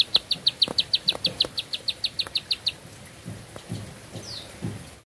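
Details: Bar-winged prinia giving a fast burst of about seventeen high, clipped notes that ends abruptly after nearly three seconds, followed by quiet background with faint knocks and a brief falling whistle.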